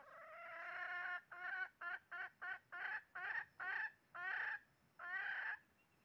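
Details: Red junglefowl at a trapping site, 20 January 2023: a rising series of about ten nasal, harmonic clucks, the notes spaced about half a second apart and growing louder, ending in two longer drawn notes.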